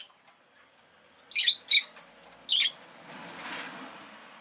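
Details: Captive rosy-faced lovebird giving three loud, harsh chirps about a second apart, with a low rushing street noise swelling afterwards.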